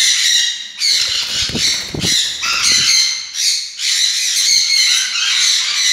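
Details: Black-capped parakeet screeching close by: coarse, piercing squawks strung together in uneven bursts, some brief dips between them, accompanied by low thumping handling noises near the middle.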